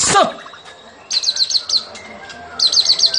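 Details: White-rumped shama of a fighter type, singing in a fighting style: two bursts of rapid, high, repeated notes after a short opening chirp, with quiet gaps between.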